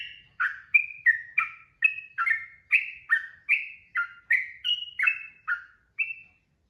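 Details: Sooty-headed bulbul (trucukan) in vigorous, long rapid 'ropel' song: a fast string of about fourteen short, bright, slurred whistled phrases with dipping and rising notes, delivered almost without pause against a quiet background.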